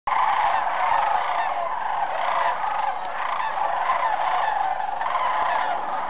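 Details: At Jasper-Pulaski on 1 November 2007, a large flock of sandhill cranes calls all at once, a dense, unbroken wall of rolling, trumpeting bugles with no single voice standing out.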